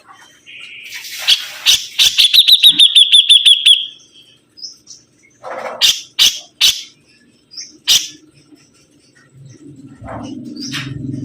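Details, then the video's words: Sibuntung bird singing energetically: a quick accelerating series of about ten high chirps, followed by scattered sharp clicks and brief notes, ending in a soft low rumble. "BURUNG SIBUNTUNG GACOR"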